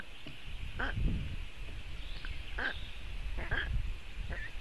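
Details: Young black storks calling at a nest in Latvia, filmed by webcam on a very hot June afternoon, calling for cooling; a few short nasal harmonic calls spaced about a second apart over a steady low rumble.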